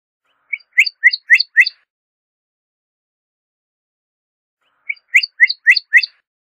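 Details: Pyrrhuloxia giving two quick bursts of five dry, metallic chips each, evenly spaced and about a quarter-second apart, separated by a long silence.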